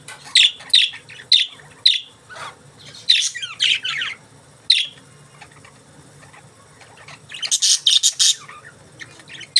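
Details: Pet budgerigars chirp in a run of short, sharp high notes, then break into a busy twittering stretch of rising and falling warbles, with a dense chattering burst near the end.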